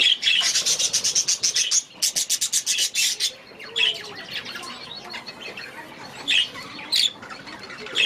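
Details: Budgerigars in their aviary: a burst of rapid, buzzy, high chirps repeated about four times a second for two seconds, then a second burst, then scattered sharp squawks and warbling notes from several birds.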